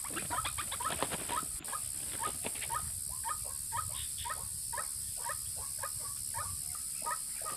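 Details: White-breasted waterhen lure sound for attracting males and females: repeated croaking notes at roughly two per second, busier at first, then regular, with some low rumble and a steady high hiss beneath.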